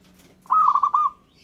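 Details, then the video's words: A single phrase from a local zebra dove whose singing reportedly sets other birds calling: a rippling string of five or six rounded cooing notes lasting about half a second, steady in pitch, clear over a quiet background. "Gara-gara Perkutut lokal ini, burung lain Langsung Nyaut dan Ngayer"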